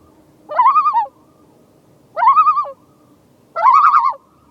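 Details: Common loon tremolo in Maine, an alarm given by either sex when threatened by eagles, boats or float planes, especially early in the season with chicks: three short, quavering, laughing bursts about a second and a half apart over a quiet background.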